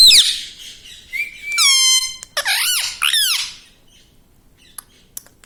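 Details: Pet parrot kept indoors, said to talk "mummy papa": a steady whistle, then several loud harmonic rising-and-falling syllables like clipped speech, fading into quiet room noise with faint clicks.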